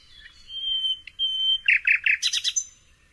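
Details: Common nightingale delivering long, steady whistled notes separated by a short pause, then three emphatic throaty notes and a quick rattling trill at high pitch.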